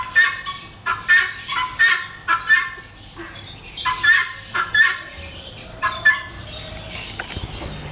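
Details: A breeding pair of helmeted guineafowl gives harsh, grating squawks in short bursts, roughly one every second or so, with a few fainter chattering notes between.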